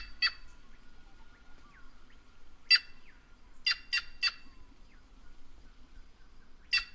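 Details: Harsh, raspy calls of a White-naped jay: a single note, then another, then a fast run of three, and a last note near the end. Faint thin whistles sound in the background.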